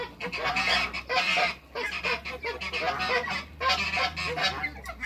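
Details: Backyard African geese, two ganders and a goose among other waterbirds, keep up loud overlapping honks in long rough bursts, several birds calling at once over a faint low hum.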